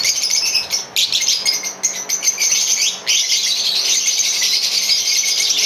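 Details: Green Fischer's lovebird pair singing a sustained, dense stream of shrill, scratchy chirps and rapid chatter, nearly continuous throughout.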